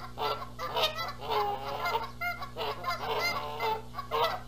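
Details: Canada geese at a nest in Charlo, Montana, 14 April 2022, squabble over who sits on the eggs while the male flies in. They give a loud, dense bout of harsh nasal honks, overlapping almost twice a second.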